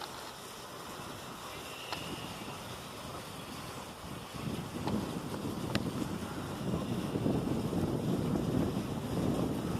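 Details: Wind noise grows louder over a low rumble, broken by a few faint clicks, and no animal voice is heard.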